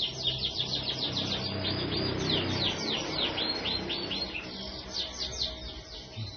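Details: Canary, ring 25, singing a long continuous rasmi 'kereta' song: quick high trilled notes repeated several times a second, over a low background hum and rumble.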